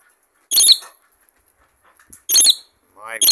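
A rainbow lorikeet gives two harsh, high screeches about two seconds apart, followed by a shorter, rising chattering note at the end.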